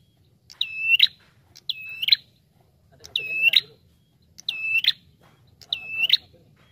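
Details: Bar-winged prinia giving a lively lure call: five clear, high notes in an uneven series, each a level whistle that bends sharply upward at the end, with faint low background noise.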